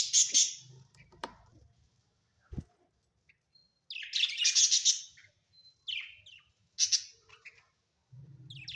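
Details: Pet budgerigars at home, scattered high chirps and a longer buzzy chattering burst mid-way, followed by brief sharp calls, with a low hum in the background at times.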